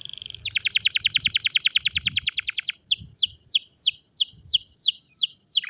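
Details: Canary singing, captured on a mobile phone: a fast, even trill of high buzzy notes, then a string of about ten clear whistles sliding steeply downward, each repeated roughly three times a second.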